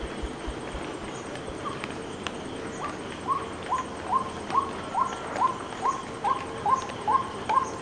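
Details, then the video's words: White-breasted waterhen giving a rapid series of short rising notes about twice per second, starting softly after three seconds and growing louder, with a faint high hiss and scattered clicks in the background. "White-Breasted Waterhen Unique Sound"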